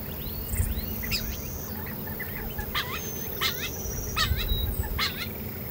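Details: Quail in Texas giving short, sharply rising and falling chirped notes, loosely grouped in clusters about every half second to second, several overlapping, over a steady low rumble of background noise.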